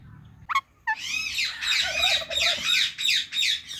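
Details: Loud chirping from a talking Indian ringneck parakeet: two sharp squawks, then a rapid stream of bright, rising chirps repeated about three per second, with a lower warbling note underneath.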